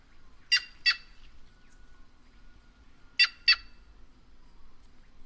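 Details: Two pairs of loud, grating notes from a white-naped jay (Cyanocorax cyanopogon), the pairs about two and a half seconds apart, against a quiet background.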